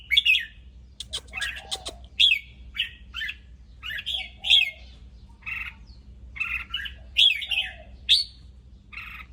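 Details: Red-whiskered bulbul, excited, giving short bright chirpy phrases in quick succession with some harsher squawky notes, over a steady low hum.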